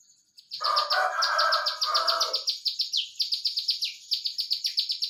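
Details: Rapid 'nembak rapat' song of an olive-backed tailorbird, with a dense string of high, piercing downward-sweeping notes. A lower, rougher chattering runs beneath the opening seconds.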